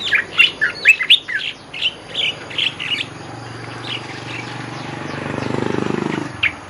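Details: Energetic Olive-winged bulbul lure song: repeated bubbly warbled phrases for about three seconds, then quieter notes, with a rising low rumble near the end.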